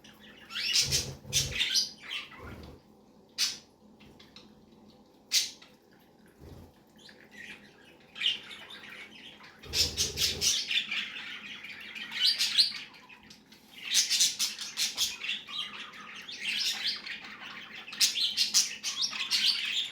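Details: A male budgerigar, resting, chatters in high, scratchy bursts of warbling notes with brief pauses between.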